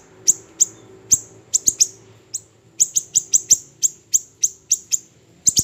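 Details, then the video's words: Small siri-siri bird, recorded for training songbirds, produces high, sharp ticking notes, irregular at first, then a regular series about every third of a second. Faint low noise underneath. "MASTERAN HANDAL burung siri siri kecil"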